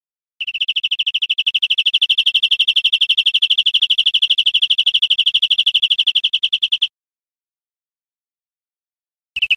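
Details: European greenfinch trill from a caged-bird training recording, a long fast rattle of high, uniform notes lasting about six seconds, followed by silence and a brief restart at the end.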